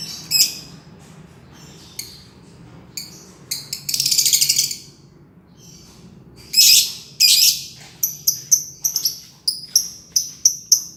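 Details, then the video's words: Green lovebird in ngekek form, with scattered sharp high chirps, a rasping buzzy burst and then a quickening series of short squeaky notes near the close. "Burung lovebird ijo, ngekek panjang"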